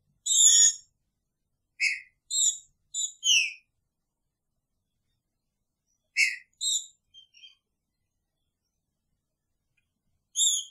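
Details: Green-winged saltator singing picharro while caged with a female: a loud opening whistle, then a tight run of four bright notes, a pause of several seconds, another cluster, and a final lone whistle.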